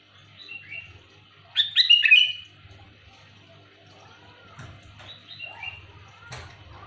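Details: Loud, clear sooty-headed bulbul call meant for luring: one bright burst of bubbly chirped notes, followed by fainter chirps and a few clicks over a low hum.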